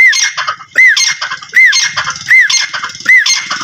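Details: Female grey francolin calling in the morning: loud, shrill, rhythmic repeated phrases, each a ringing arched whistle followed by harsh squawky notes, recurring about every three quarters of a second.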